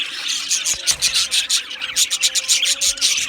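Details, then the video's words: Loud, close chirping from an Australian budgie aviary colony: fast rhythmic bursts of harsh high notes, several per second, over continuous chatter. "Beautiful Australian Budgie birds Chirping Sounds"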